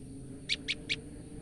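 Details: A frightened female olive-backed tailorbird gives three quick, high fear chirps about a fifth of a second apart, over a steady low background hum.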